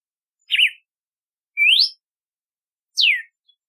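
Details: Red-cowled cardinal whistling three distinct notes: a fast wavering trill-like note, a long rising slur, and a sharply falling whistle, each about a second apart against silence.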